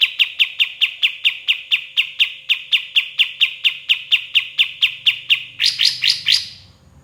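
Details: White-shouldered triller song used to train other songbirds: clear, evenly spaced notes about two per second, ending in a faster, higher burst, with a faint low hum underneath.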